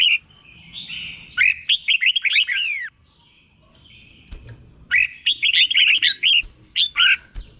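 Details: Doubled 'boen' song of a red-whiskered bulbul acting as tutor for caged birds: a lively run of looping whistles, a quiet gap of over a second, then another rapid warbled phrase.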